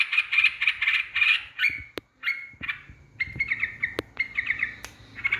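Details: Provocation lure of a yellow-vented bulbul: rapid bubbly chattering, then gaps and scattered liquid phrases mixed with sharp clicks, closing with more quick warbled notes.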